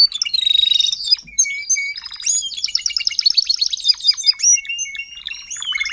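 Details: Adult Timbrado canary tutor singing to teach young canaries, recorded 2021: a bright, continuous high song of rapid rattling trills and buzzy rolls, broken by short clear whistled notes and a few sharp chips.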